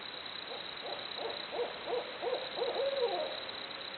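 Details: Barred owl calling: a brisk series of about eight short hoots rising in energy, capped by a drawn-out wavering note, heard over steady background hiss.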